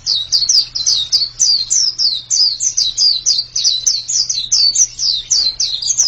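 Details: Lively white-eye song: bright, high downslurred chirps repeated in quick succession, grouped in twos and threes, with a steady faint hum in the background.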